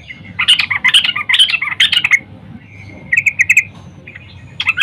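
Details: Female sooty-headed bulbul calling a male in the morning: bubbly, chattering bursts of notes, then a thin level whistle and a short run of bright chirps.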